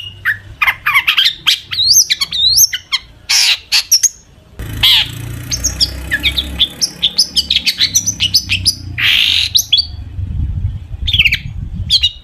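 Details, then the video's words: Long-tailed shrike singing a varied song packed with imitations, meant as a lure for other shrikes: rapid strings of whistles, upslurred notes and buzzy bursts with brief pauses, over a low rumbling background. "cendet gacor FULL ISIAN buat PANCINGAN CENDET AGAR BUNYI"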